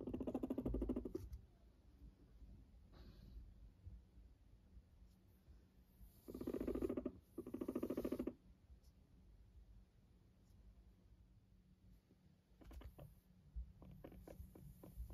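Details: Pet Silkie guinea pig in a homemade cage giving short bursts of low, rapidly pulsed purring, one at the start and two close together midway, separated by long quiet gaps with faint rustling and clicks.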